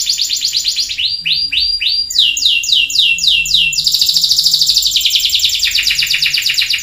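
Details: Canary singing in pancingan style, meant to coax a canary that has stopped singing: a varied series of rolling trills that shift in pitch and speed, ending in a very fast, buzzy, sustained high trill.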